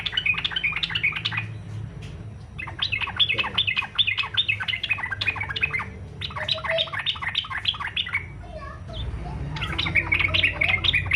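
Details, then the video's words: Yellow-vented bulbul in fighter-style song meant to draw other bulbuls into singing: four dense bursts of rapid, scratchy chattering notes separated by short pauses, over a steady low rumble. "SUARA trucukan faghter cocok buat pancingan supaya trucuk ikut faghter"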